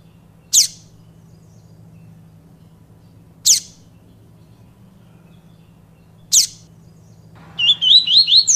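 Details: Papa-capim: three isolated sharp, high descending call notes about three seconds apart, then a quick warbled song phrase of looping notes begins, over a soft low hum.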